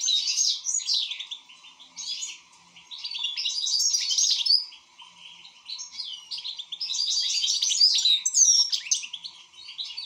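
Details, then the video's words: Active European goldfinch song: dense, rapid twittering phrases mixing buzzes, trills and sweet slurred notes, running almost continuously with brief dips between bursts, over a faint background hum. "حسون شغال"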